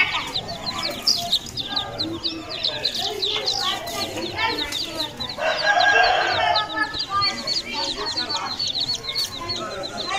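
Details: Constant high peeping from many Aseel chicken chicks, overlapped midway by a loud, strained, crow-like call from an older bird.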